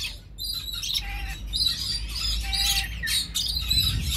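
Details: Red lory breeder pair in captivity producing dense, continuous harsh chattering and squawks, with brief clear whistled notes mixed in and a steady low background rumble.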